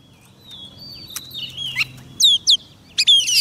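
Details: Oriental magpie-robin singing to call wild birds: soft drawn-out whistles over low background hum, then loud sharp downslurred notes and a buzzy phrase at the end.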